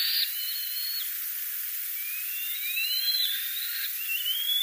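Black-winged Kite giving thin, high whistled notes, some held level and some slurring upward, about four a second, over a steady background hiss.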